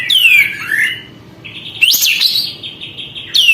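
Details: Sooty-headed bulbul singing to provoke rival birds, tail opened: a downward-gliding whistle, a pause, then a rising and falling note over a sustained tone, and a final falling whistle.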